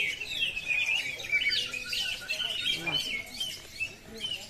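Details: Greater green leafbird at a singing contest, delivering long 'kuntilanak' bursts: dense, rapid high warbling and chattering notes running almost without pause, with a brief lower sweep midway, and faint voices in the background.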